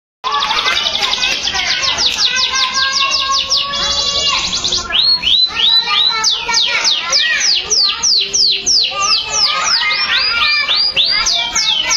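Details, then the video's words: Canary singing loudly and continuously: fast high trills of repeated rising-falling notes, a long steady buzzy trill early on, then a series of sweeping whistled notes at about three per second, with no other sounds. "Canary Song Full of Emotion | CANARY SINGING"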